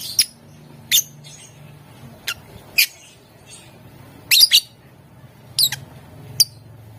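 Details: Lovebird calling to provoke rival birds into answering, gacor, ngetik and ngekek style: shrill, clipped chirps at uneven gaps, including a close double burst, over a low background rumble.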